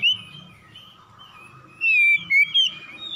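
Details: Oriental magpie-robin morning song, part of a harsh answering exchange: soft whistled notes, then three loud sliding whistles near the end over a low background hum.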